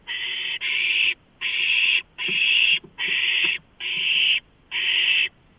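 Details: Nestling owls greeting a large rodent delivery, 23 March 2015: seven drawn-out rasping hisses, each about half a second, spaced by brief silences, with light tapping sounds.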